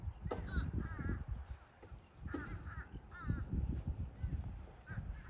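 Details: Limpkin, a large wetland wading bird in southwest Florida, giving loud wavering wailing calls in several short bursts, each with stacked harmonics, over heavy low rumbling wind or handling noise.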